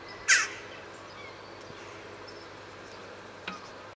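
A single short, sharp jackdaw call, a bright 'tchak' near the start, then a fainter note at the end over steady background hiss.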